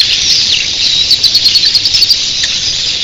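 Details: Red-billed queleas, literally thousands in an early-morning flock, make a dense, unbroken high chatter of countless overlapping chirps and squeaks, with a quick run of pulsing surges midway and a faint rushing of wings.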